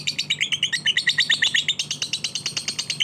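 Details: Fighter lovebird singing in a quick, steady stream of shrill, chattering chirps, roughly three per second, scratchy and high-pitched throughout, over a soft low electrical hum.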